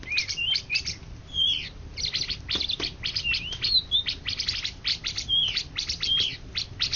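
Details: Indonesian champion greater green leafbird of 2013–2014 singing a rich, varied medley. Sharp chirps and sweet whistled notes run together in dense bursts, while the crackle of a rubbish fire continues beneath.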